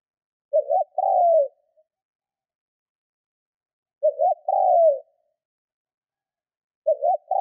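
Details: Spotted dove kept as a trained decoy, cooing 'Thúc' style to stir up wild birds; three phrases roughly three and a half seconds apart, each a quick double note leading into a drawn-out falling coo, otherwise quiet.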